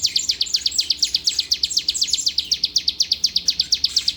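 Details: Prized bar-winged prinia (ciblek) from Palembang singing a rapid, even string of high, clipped descending chips, roughly seven per second, loud and clear over quiet background.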